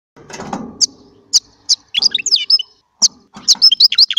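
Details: Small European goldfinch singing: scattered bright high twittering notes and sweeping chirps with short pauses, becoming denser toward the end; a brief low rumble at the start.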